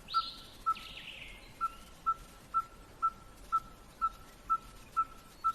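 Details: Small songbird with a loud song likened to gunshots: a clear, short, level whistled note repeated about every half second with steady rhythm, plus a couple of brief rasping sweeps near the start over faint outdoor background noise.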